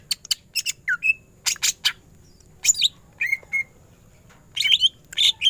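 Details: Greater green leafbird in full ngentrok-style bursts: harsh buzzy chatters mixed with short clear whistles and squeaky slurs, delivered in irregular spurts with brief pauses.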